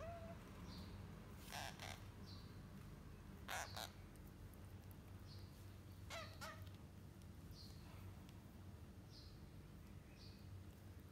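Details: Parrot chicks in their fourth week giving harsh, raspy begging squawks in short bursts a few seconds apart, with faint high chirps between them over a steady low background hum.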